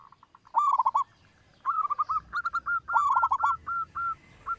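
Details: Local zebra dove with a loud voice, recording used as a lure to prompt other birds to sing; three bursts of rolling coo notes, each dipping then rising, ending in a string of short, clipped coos.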